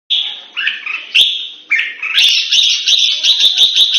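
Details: Caged Red-whiskered bulbul, called nok hua juk, in a Singapore-style training session, sings a series of bright warbled phrases with rising and falling notes, then a busier run of sharp chirps and clicks.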